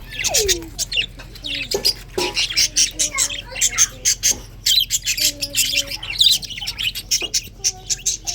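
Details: Budgerigars chirping in the morning, with dense rapid high chirps and warbles repeated throughout, some lower whistled notes, and soft music faintly underneath.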